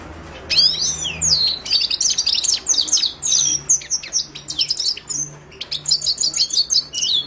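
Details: Continuous twittering song of a Himalayan goldfinch (Carduelis caniceps): dense, fast chirps and slurred whistles, ending in rapid repeated clipped notes, with a faint low hum underneath.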